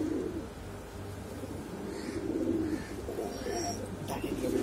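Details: Exhibition Homer and Shiraji domestic pigeons give their boom call: low, rolling coos that swell and fade in repeated bursts, with faint chatter and room noise behind.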